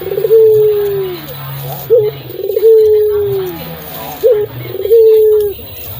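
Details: Barbary dove of local stock, a strong singer used to prompt silent doves: a steady pattern of sharp upward-flicked notes, each followed by a long, mellow, gradually descending coo, about every two seconds.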